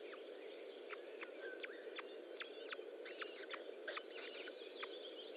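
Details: Osprey at its nest during feeding, 25 June 2012 at 10:58; scattered sharp, high chirped notes with short downslurs, spaced irregularly over a steady hiss of background noise.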